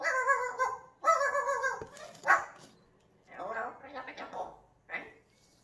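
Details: Pet African grey parrot talking, said to utter the Spanish phrase "qué asco"; two loud voice-like bursts with rich stacked harmonics, followed by softer chattering syllables and a short final call, indoors.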